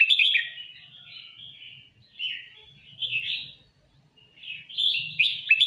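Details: A red-whiskered bulbul in full song delivers chirpy, warbling phrases in three or four bright bursts separated by brief silences. A faint low hum sits underneath.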